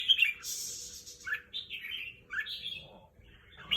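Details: Red-whiskered bulbul, a competition songbird, singing in the evening. Bright, rapid chirping phrases with rising and falling whistled notes, repeated in short bursts, over faint low background noise.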